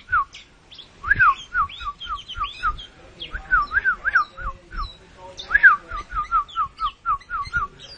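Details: Puffed-up oriental magpie-robin (kacer) delivering mbagong mbesi song: rapid strings of bright inverted-V whistles with scattered high squeaky notes, several dense bursts over eight seconds, fairly loud against a quiet background.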